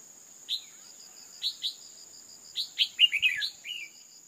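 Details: Calling to excite males, a female red-whiskered bulbul gives single scattered chirps, then a quick tumbling run of five or six slurred notes near the end, with constant insect buzzing in the background.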